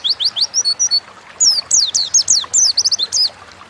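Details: Oriental white-eye giving 'gacor ngalas' wild-style song as a lure: a quick phrase of rising-then-falling high notes, a short pause, then a longer chattering run of sharp sweeping whistles.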